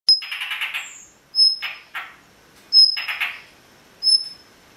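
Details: A blue rock thrush protecting newly hatched chicks gives four threat-alarm bursts at an approaching person in under five seconds, each a sharp, high, metallic tick followed by a harsh, scratchy rasp.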